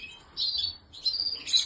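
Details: Canary of the Spanish Timbrado type, red; short high song phrases, bright trilled notes held around the upper range, two bursts separated by a brief pause.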